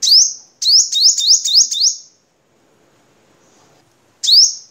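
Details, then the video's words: Crimson sunbird from Vietnam, a cage-bird training recording: a lone chip, then a rapid string of five high buzzy chips, a two-second silence, and one more chip. "Suara Kolibri Sogok Ontong Vietnam Untuk Masteran"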